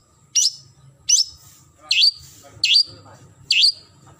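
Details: Long-tailed shrike calling to a rival, giving five loud harsh notes, each a rasping burst ending in a short downward slur, spaced under a second apart.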